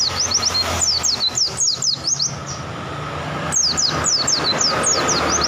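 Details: Oriental white-eye song: fast series of high, thin, downward-sweeping whistles in two long runs, with a steady rumble of traffic beneath.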